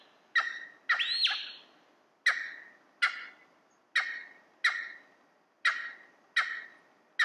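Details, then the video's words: Cheer pheasant calling in the early morning in a cold, quiet forested valley: loud, sharp, harsh notes repeated roughly every second, some doubled with a rising-then-falling arched sweep, each trailing off in a long echoing fade. "Cheer Pheasant"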